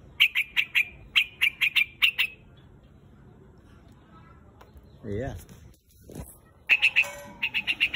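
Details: A white-headed grey quạch bird calls to gather its flock with rapid runs of sharp chirps. A quiet stretch follows with a brief low wavering sound and a thud. Then the quick chirping bursts return.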